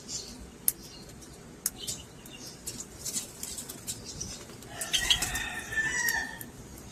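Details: Caged peach-faced lovebirds chirping: sharp clicks and brief high chirps early on, then a burst of overlapping warbled, harmonic chatter toward the end, with soft cage rustling throughout.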